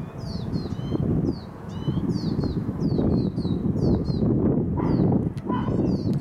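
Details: Two young lesser goldfinch fledglings begging a parent for food outside a house: rapid series of high, thin, downward-slurred notes, several per second, over a steady low rumbling background noise.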